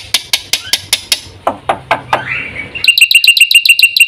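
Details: Black-winged myna in full song, meant as a lure and training recording for caged birds: sharp clicking notes, then descending slurred sweeps, then a fast run of bright, ringing notes repeated about seven times a second.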